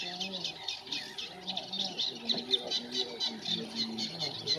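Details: Eurasian reed warbler (Acrocephalus scirpaceus) at Lake Neusiedl, Neusiedler See–Seewinkel National Park, 20 April 2018, singing a steady, chattering run of grating high notes, repeated several times a second, with low voices murmuring underneath.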